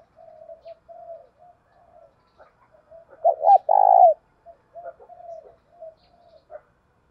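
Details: Faint, low coos continue throughout while a decoy spotted dove, thổ bầu voice style, gives one loud phrase meant to spur a fight: paired short coos and a long, rough, wavering coo.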